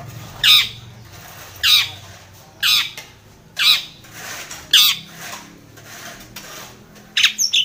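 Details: Long-tailed shrike challenging a rival, played to provoke another shrike into song: a series of six harsh, scratchy squawks about a second apart, ending in a quick double burst.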